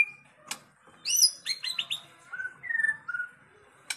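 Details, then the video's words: A white-rumped shama training recording: sharp clicks, a short cluster of quick high notes, then several clear, drawn-out level whistles spaced apart, in quiet surroundings. "Dengan CEPAT murai batu AKAN EMOSI dan IKUT GACOR dengan masteraan murai batu ini"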